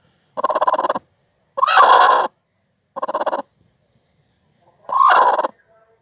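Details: Clucking of a broody hen (gurk tavuk): four separate harsh, buzzy bursts about every 1.5 seconds, alternating shorter rapidly pulsed ones with longer rougher ones, in a quiet background.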